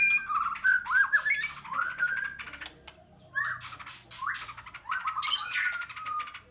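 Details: White-rumped shama of the Medan type kept at a bird farm, singing clear rising whistled phrases mixed with harsh rasping and crackling notes, delivered in quick bursts with brief pauses.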